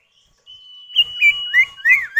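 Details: Common iora pair, male and female answering each other, used to coax other birds into song: a long, level, thin whistle with a sequence of loud swooping whistled notes over it, each rising and falling.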